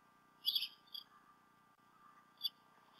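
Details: At the Decorah North nest, both bald eagle adults around midday on 28 February 2016, recorded by a nest cam. A brief high piping note followed by a shorter squeak, and another thin chirp a second and a half later.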